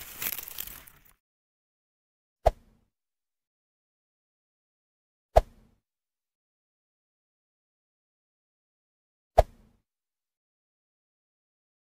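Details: A brief rush of noise, then three sharp isolated clicks several seconds apart in near silence, with no animal voice.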